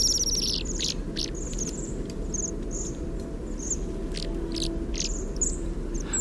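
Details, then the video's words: Close-range parabolic recording of Bohemian waxwings making low, squeaky whispered calls alongside their melodic whistling; high, sibilant trills and brief squeaks repeat irregularly over a low rumbling background. "In order to hear what the waxwings whisper about, we use a large ear - a microphone with a parabola."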